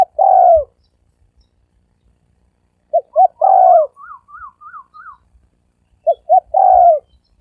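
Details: Spotted dove giving the thổ sấm đồng cooing style, used as a lure to stir males, females and wild birds: three phrases of two short clipped notes and a long falling croo, with a string of higher wavering notes between.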